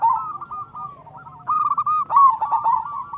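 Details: Local zebra dove singing strongly, used to prompt other zebra doves to call: a trailing string of soft coos, then a fresh loud phrase of rapid, rolling notes that lengthen toward the end.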